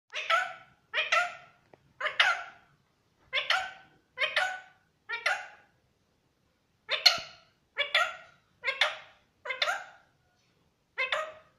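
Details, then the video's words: A pet rose-ringed parakeet talks, saying "Miyan mithu", and whistles in about a dozen short, bright, nasal phrases, each roughly half a second long, in uneven bursts. "Parrot saying Miyan mithho and whistling"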